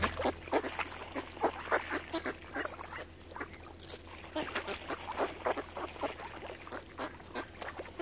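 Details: Around a swan family on Lough Neagh at Oxford Island, Ireland, many ducks quack in quick, uneven volleys of rough, clipped notes, several voices overlapping, with a low steady hum in the background.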